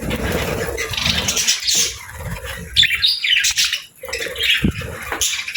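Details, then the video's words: Pet budgerigars said to be happy chirping with rapid scratchy tweets and chattering warbles almost nonstop, one short lull near the middle, against a low background hum. "Budgie Chirping Sounds: Happy Birds"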